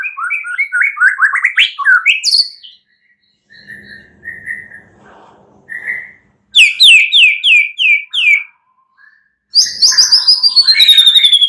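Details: White-rumped shama night song for drawing out a bird's singing: quick rising whistled notes, soft paired whistles after a gap, a loud run of falling high notes, then a long bright descending rattle.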